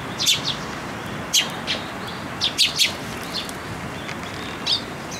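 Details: Young Eurasian tree sparrows beg for food at a post by a shrine, 28 May 2022; bright high chirps in quick clusters, some doubled, against a low rumbling background.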